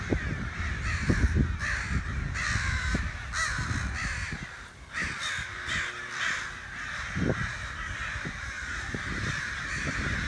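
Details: Crows outside a back door caw in hoarse, scratchy bursts over heavy low rumbling and thudding noise, the calls loosening into a quieter stretch before resuming.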